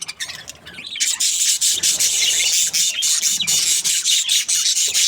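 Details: Happy budgies chirping together: a dense, continuous wash of high, scratchy warbles and squeaky chirps that swells after the first second and stays busy and rapid throughout.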